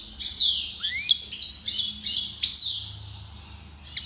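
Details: European goldfinch from Constantine, Algeria, singing a rapid, high, liquid twittering song of buzzy trills and quick slurred notes, tapering off quietly near the end.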